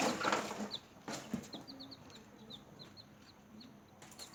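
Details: Newborn chicks peeping while feeding: a loud rustling burst, then soft high peeps spaced out in pairs and singles, repeated steadily over a low background hum.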